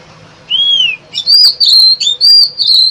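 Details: Oriental magpie-robin song played as a trapping lure: one smooth arched whistle, a short pause, then loud, high, clipped whistles in quick bursts.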